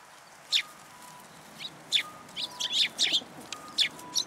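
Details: At a Tenmangu shrine on 14 February 2023, sparrows arrive at a feeding platform for food, giving sharp, high chirps singly and in a tight cluster of about five near the end, over a faint intermittent tone.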